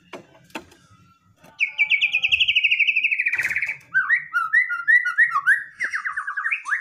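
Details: White-rumped shama singing aggressively to goad another shama into reply. A few clicks precede a sustained buzzy rattling trill, followed by varied looping whistled phrases that bounce up and down in quick succession.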